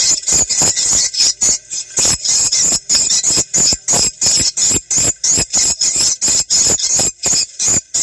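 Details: Swiftlet calls meant for playback from a phone or portable speaker to check a site and draw swiftlets in, ideally at morning or dusk. Rapid, shrill, buzzy chirp bursts repeat about three times a second with brief gaps.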